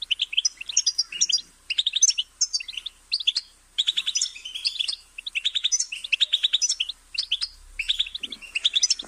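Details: Goldfinch singing in repeated bursts of quick twittering notes separated by short silences, with a faint low rumble near the end.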